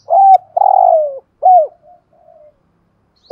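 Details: Spotted dove of the 'giọng thổ' style, used as a decoy, calling. A loud phrase gives a level coo, a long grating purr sliding lower and a falling final coo. Soft murmurs follow, then a single coo starts again.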